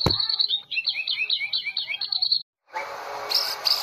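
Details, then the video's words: A national champion Medan white-rumped shama from the 2018 Presiden Cup sings a string of quick, looping high whistled notes repeated evenly for over two seconds, then stops; a harsh noisy burst follows. "Murai medan full tembakan cililin"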